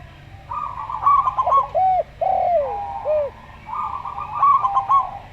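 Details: Local zebra dove (perkutut lokal) with a slow-style voice: rapid trilled, stuttering coos near one pitch, alternating with another dove's calm, arched, falling coos (Javan derkuku); steady low hum underneath.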